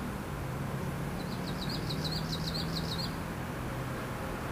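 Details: Japanese leaf warbler, newly arrived in spring at an urban city park near a workplace, 24 May 2013; a faint run of quick, buzzy, repeated high notes lasting about two seconds over a steady low city rumble.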